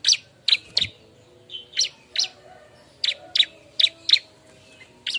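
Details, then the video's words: Bar-winged prinia calling busily in search of a mate, recorded as a lure: crisp high chirps, a quick triple at first, then single notes spaced unevenly. "suara burung ciblek ribut nyari kawan"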